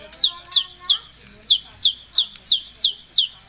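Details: Pet white-rumped shama in gacor song, giving a steady series of bright, downward-slurred high notes about three times a second, evenly spaced and loud.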